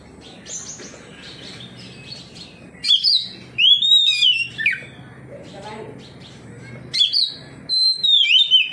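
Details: Oriental magpie-robin answering another magpie-robin: after a quiet start with faint distant chirps, loud looping whistles and downward slurs arrive in bursts, separated by a softer lower call and low hum.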